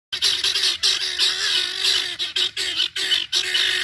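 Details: A group of guineafowl keets out on a stroll in Georgia keeps up a dense, high-pitched chatter of overlapping peeps and chirps in short bursts, with a faint lower hum underneath.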